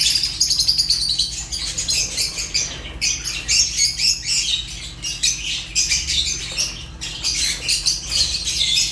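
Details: Continuous high-pitched chatter of Fischer's lovebird: harsh scratchy chirps repeated quickly in long runs, pausing only briefly a couple of times.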